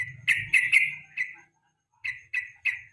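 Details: Evening yellow-vented bulbul, recorded as a lure and master song for training songbirds for national contests. A burst of bright, clipped notes comes first, then a short silence, then three more evenly spaced chirps. Faint low rumble underneath.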